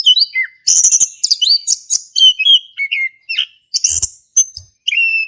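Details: Male orange-headed thrush in full ngeplong song, used to coax a quiet bird into singing; dense high twittering and whistled slurs, some falling notes, delivered in quick bursts with short gaps and a faint low thump.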